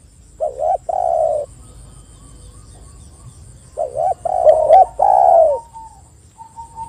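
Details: Spotted dove used as a lure to stir other doves into calling: two short cooing phrases, a quiet gap of about two seconds, then a burst of hooting notes ending in a long falling coo, over a thin high hum.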